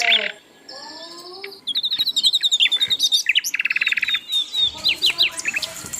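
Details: Lively Asian brown flycatcher song built from fast high chirps, short buzzy rattles and sharp upswept whistles, delivered in quick varied bursts after a brief quiet start.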